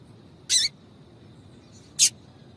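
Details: Female double-collared seedeater calling to excite a male: a longer, slightly buzzy high note followed about one and a half seconds later by a short sharp chip.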